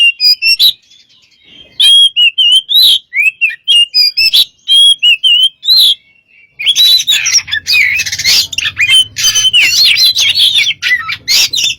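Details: Oriental magpie-robin in gacor song for luring other birds: spaced clear whistles and slurred notes, then a denser, harsher torrent of mixed whistles and chatters over a faint low hum.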